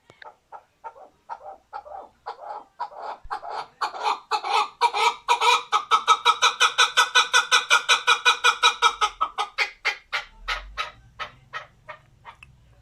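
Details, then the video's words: Male chukar partridge kept as a hunting partridge, newly acquired and starting to liven up, gives a series of harsh clucking notes that begin sparse, quicken and swell into a rapid, even run, then slow and fade; faint low rumble near the end. "Erkek Keklik Sesi"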